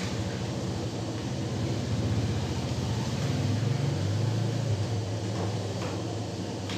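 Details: Steady low engine-like rumble with a faint droning hum throughout, and no animal calls heard.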